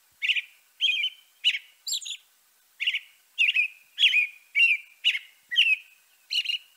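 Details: European robin delivering a steady series of about a dozen short, high, warbling phrases, each slurred and ending in a faint trailing note, with brief gaps between them in a quiet setting.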